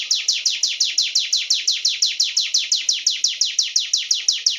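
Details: Energetic song of a Sunda warbler: a fast, very regular run of bright, falling chirps, each note crisp and high, about four per second.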